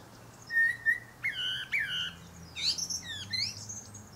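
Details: Atop a pear tree, a male Common Blackbird (Turdus merula) sings short fluted whistles that slide up and down, quickly followed by bright, high, chattering twitters, with a faint low rumble beneath.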